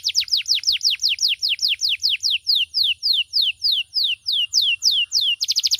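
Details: Canary song: a long run of loud, rapid descending whistled notes, slowing gradually across the phrase, then ending in a quick burst of short high chirps; no other sounds.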